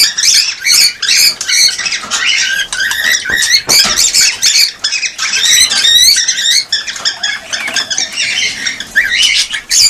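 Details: Cockatiels calling in a sound meant to encourage mating and breeding. Dense, overlapping warbled squawks and chirps come in rapid, irregular bursts with almost no pauses.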